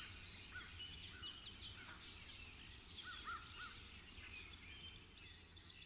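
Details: Chipping sparrow song: fast, dry, mechanical trills of high chips, one trill running over a second and several shorter bursts repeated through the clip, with soft lower whistled notes from other birds faintly behind.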